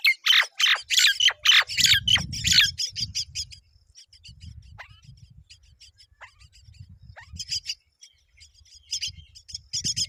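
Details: Both myna parents feeding their young: loud harsh squawks at first, then fading runs of high buzzy chick chirps and light background rumble.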